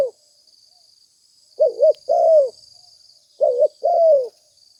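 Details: Spotted dove calling, recorded for luring doves: two phrases about two seconds apart, each a pair of clipped mellow notes leading into a longer falling coo, with a quiet continuous high-pitched background whine.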